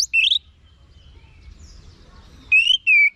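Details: Orange-headed thrush singing in short phrases used as a tutor for kept birds. A brief rich warble is followed after a long gap by two loud, clear, slightly falling whistles.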